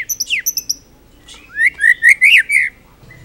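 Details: Full-repertoire song of a White-rumped shama, recorded as a master for teaching other birds: several high chirps and a falling whistle, then a loud, fluid series of rolling whistled notes rising and dipping.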